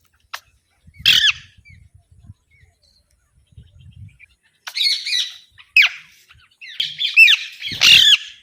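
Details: Alexandrine parakeet calling in short, grating squawks, scattered singly and in small clusters across several seconds, with faint low rustling between calls.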